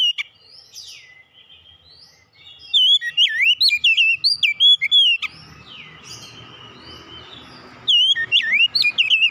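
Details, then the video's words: Two bursts of oriental magpie-robin song, each a quick string of loud, swooping whistles and sharp chips. A hissing background noise fills the pause between them, and softer high notes come earlier. "kicauan ampuh mempercepat pemulihan Kacer macet bunyi langsung gacor"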